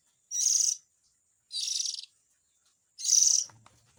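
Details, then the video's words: Young white-rumped shama calling, a recording used to lure the parent birds: three rasping, hissy, high-pitched bursts spaced about 1.3 seconds apart, with faint low rustling at the end. "Suara Pikat indukan burung kacer ,suara anak nya"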